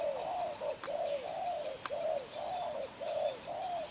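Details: Lively đồng pha chân cua spotted dove, a strong cooer pushing coos with a trailing note: rapid run of paired low coos, a clipped note then a drawn-out falling one, nearly continuous, with a bright hissing background and one click.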